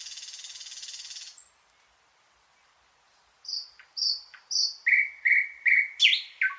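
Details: A dry rattling buzz from a thrush nightingale is followed by silence, then a phrase of repeated high whistled notes and lower clipped notes that grow louder, with a sharp upswept note near the end.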